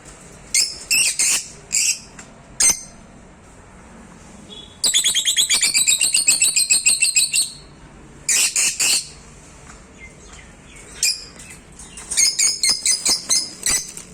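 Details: Lovebird giving scattered sharp, high squeaky calls, then a long rapid series of chattering chirps, followed by short bursts of shrill twittering and a final run of quick high chirps with quiet gaps between.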